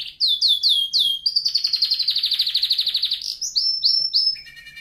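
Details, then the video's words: Singing canary, used to train other canaries: four loud downslurred notes, a long rapid trill that slowly climbs, then clipped high whistles and a faint rattling ending. "canary singing video | the best canary training song"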